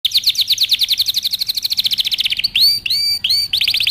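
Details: Canary training song: a fast trill of rapid high notes, then long swooping whistled notes rising and falling, ending with another quick rattling trill.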